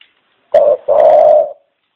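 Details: Single dove phrase: a short low coo followed at once by a longer sustained one, deep and mellow, with nothing else heard.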